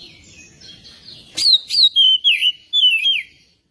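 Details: Magpie-robin singing as a prompt for another bird to sing. After a faint murmur, a sharp note leads into a fast series of clear descending whistles, about five strong phrases.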